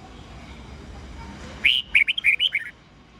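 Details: Red-whiskered bulbul morning song in the "old forest voice" style, played to train young bulbuls to sing: after a low hiss, a short phrase of bright, fluty, warbling notes with quick up-and-down slurs.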